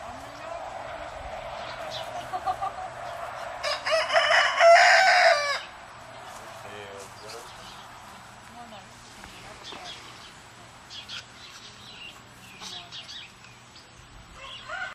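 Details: Farm turkeys near Edmonton, Canada, males and females together: after quiet rustling, a rapid, rattling burst of pulses, a gobble-gobble sound, lasts about two seconds. Softer scattered calls and faint background noise follow.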